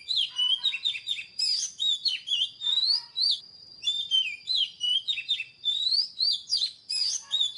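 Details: Long, lively Oriental magpie-robin song: dense bursts of varied whistles, upslurs, buzzy chirps and rapid warbles with brief pauses, repeated over several seconds, while a steady thin high tone persists throughout.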